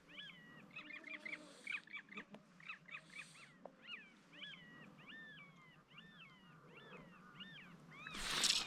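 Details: A long-tailed skua at a lake in the Kaldoaivi wilderness of Lapland in the evening gives sharp, yelping warning notes that rise and then drop, about twice a second, before a loud rustling burst at the end.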